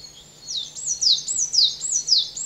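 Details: Coal tit at a garden bird pond in the Veluwe, Netherlands, giving thin, very high swooping notes, repeated about twice a second in a quick bouncy series, over a faint low hum.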